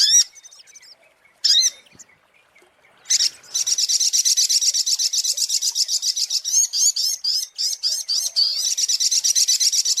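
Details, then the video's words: Scattered sharp chips give way to a prolonged, rapid, high-pitched buzzy trill from a sunbird (sogok ontong), with interspersed slurred twitters, recorded for luring birds. "SUARA PIKAT mp3 BURUNG SOGOK ONTONG PALING TOKCER"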